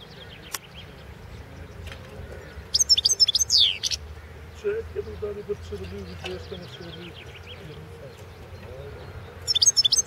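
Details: European goldfinch, Carduelis carduelis balcanica, in a 2016 world championship song recording. A quick trilled phrase with a falling slur, then scattered soft twitters and another rapid burst at the end, with a low voice-like murmur behind.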